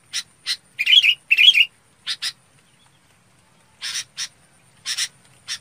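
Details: Red-whiskered bulbul calling its flock, giving short harsh chattering notes in pairs and a couple of warbled whistled phrases, with gaps of silence between bursts.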